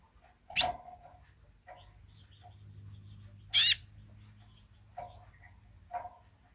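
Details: Sunbird, kolibri ninja, in full voice with its basic song: two loud, harsh, buzzy bursts about three seconds apart, with faint lower chips and a soft low hum between them.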